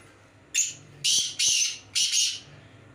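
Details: Black francolin calling during a performance check against another francolin: four loud, harsh, rasping bursts, each about a third of a second, spaced roughly half a second apart, over a low indoor hum.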